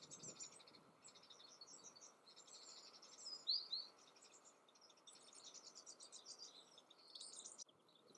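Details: Yellowhammer singing in the Eifel, Germany: quick runs of thin, high repeated notes, one series closing on a longer drawn-out buzzy note, with a couple of brighter chirps midway over a steady low rumble of background noise.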